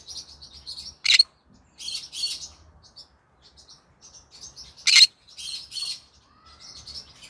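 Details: Green-cheeked conure sings in the evening, a stream of scratchy high chirping phrases broken by two sharp loud squawks, with a faint low thudding underneath.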